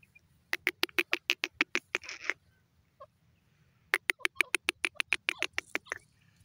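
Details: Female grey francolin, known locally as teetar, giving two rapid bursts of harsh, clicking notes, roughly five or six per second, separated by a short pause; quiet low background hum throughout.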